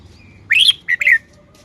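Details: Red-whiskered bulbul, displaying its song phrasing, gives a rising, slurred whistle followed by two quicker, bouncy notes that fall away.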